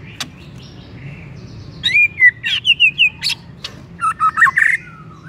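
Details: White-rumped shama song played as a lure to make another shama sing: rich, fluting whistled notes in a rapid rhythmic series, then a burst of wavering, rising phrases.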